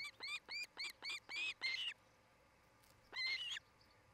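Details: An osprey at a nest in Charlo, Montana, on 8 July 2018 between 17:00 and 18:00, gives a quick run of six high, upslurred whistles, about four a second, then a louder, longer whistled note.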